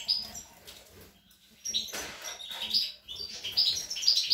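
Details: European goldfinch, a young bird, recorded on 25 April 2021, giving scattered high twittering notes broken by short pauses, with quieter gaps and a brief rustle in between.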